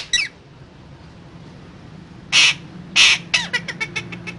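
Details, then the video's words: Pet parrot giving harsh squawks: a short rasp, then two loud grating calls and a rapid stuttering run of clicks, over background hum. "Raw Parrot Talking"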